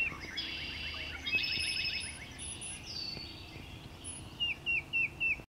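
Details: Tufted titmouse at Ashton Tract, Augustine Wildlife Area, in April 2020, gives a quick run of four clear, downslurred whistles near the end, after a busy stretch of other high twittering birdsong.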